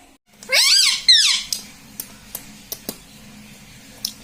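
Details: Pet parrot that says 'mummy' and 'mitthu' gives two harsh rising-falling squawks, followed by scattered sharp clicks in a small indoor room.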